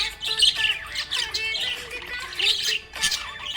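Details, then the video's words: Happy budgie producing harsh, buzzy chatter and short chirps in lively bursts, with melodic music continuing softly behind. "Happy budgie chirping sound"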